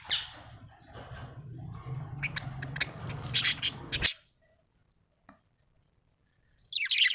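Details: Budgies kept as house pets chattering with scratchy high chirps over a low hum, falling silent for a few seconds before starting again.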